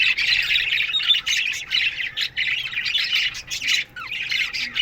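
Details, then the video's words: Australian budgies in an aviary colony giving morning chatter in bursts of scratchy warbling and squeaks, with brief gaps between bursts and one clear rising squeak near the end. "Budgies Morning Chirping Sounds"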